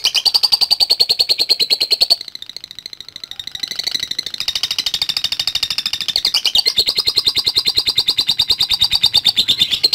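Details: Lovebird giving a long continuous ngekek trill: a rapid, steady, buzzy chatter of high pulses, running almost unbroken for ten seconds with a brief softer dip near the middle.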